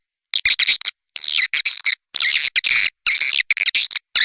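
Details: Swiftlet sound used by Indonesian swiftlet farmers for calling and roosting: longer rasping, buzzy twitter phrases, each under half a second, separated by short gaps, high and harsh.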